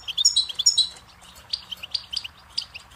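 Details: Goldfinch singing on a teaching tape for chicks and songbirds: a few loud, clear chirping notes at the start, followed by softer, scattered twitters.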